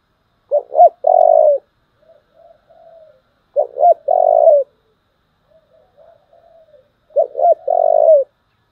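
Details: Spotted dove giving the fighting call in 'giọng thổ' style: three phrases about three seconds apart. Each has two short jerky notes, a loud sustained low coo, then faint soft murmurs. Clean, quiet recording.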